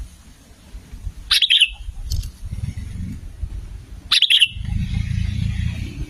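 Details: Sooty-headed bulbul played as a lure to draw in and trigger other bulbuls. Two brief bubbling whistled phrases about three seconds apart, over a steady low hum and some rustling.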